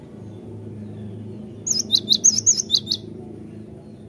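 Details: A great tit gives a brief burst of about nine high, sharp notes in just over a second, over a steady low hum; used as a lure call.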